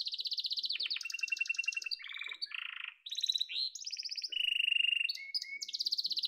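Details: Yellow canary pouring out a varied song of fast trills, rattling buzzes, upslurred whistles and a long steady trilled tour, with little pause between phrases.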